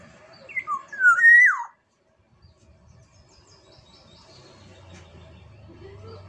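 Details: Sumbawa black-naped oriole sings a single mellow phrase of a few quick whistled notes that end in a loud, rising-then-falling liquid slur, followed by several seconds of quiet with a faint low hum.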